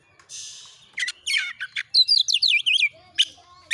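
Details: Oriental magpie-robin in insistent, fast tutor song for training other birds: a high buzzy note, then sharp chips and a run of bright whistled notes swooping up and down.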